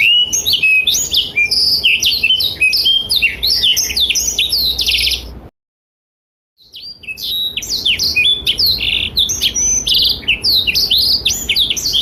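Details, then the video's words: Active Blackthroat singing as a tutor for young and adult canaries: two long bursts of rapid, varied high twittering with whistled slides and chips, split by a moment of full silence midway. "Blackthroat Gacor Masteran Terbaik untuk Kenari Paud dan Dewasa"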